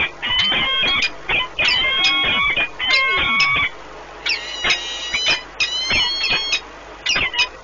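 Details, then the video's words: At their Orlen Płock nest in Poland, two peregrine falcons in a prolonged bonding meeting on 1 March 2019 give drawn-out whining wails, each about a second long, separated by brief pauses and shorter clipped notes. "Sokoły wędrowne Orlen Płock (PL) - 2019.03.01 - Długie spotkanie, wiązania"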